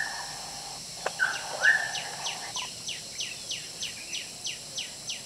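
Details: Puff-throated babblers feeding a hungry chick: a steady series of high, thin, down-slurred notes, about three per second, after a brief whistled note, over soft background hiss.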